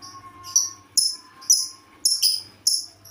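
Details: Lovebird with a strange-sounding call: a series of abrupt, scratchy high squawks, about six in three seconds, some doubled. A quiet steady lower tone lingers in the background.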